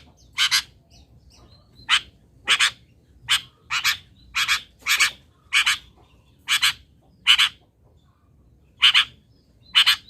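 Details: Local long-tailed shrike producing harsh chattering fill-in song for songbird training: a series of short rasping notes, many in quick pairs, spaced irregularly over ten seconds in a quiet setting.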